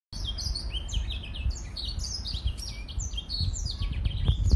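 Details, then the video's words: Three-month-old hybrid of a Gray Finch and a Lemon Breasted finch giving its first complete song: a continuous rapid twitter of high, sliding chirps and trills, with a low rumble of background noise underneath. "Gray Finch X Lemon Breasted 2020"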